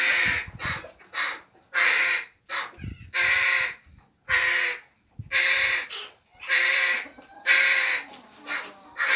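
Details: Begging from a young crow in an aviary full of juveniles that can already eat alone, yet it is fed by other young crows; rapid series of harsh, rasping caws, some long, some clipped, nearly continuous.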